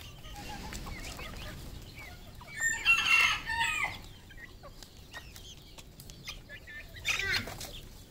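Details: Crowing red junglefowl on a farm in Cambodia: a strong, ringing crow of over a second, then quieter calls and a second, shorter crow near the end, with faint chirping between.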